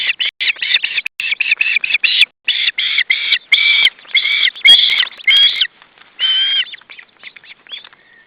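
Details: Osprey calling at the nest when a fish arrives for supper, July 2012: a long, excited series of piercing, slightly rising whistled chirps, closely packed, ending in a few longer drawn-out notes.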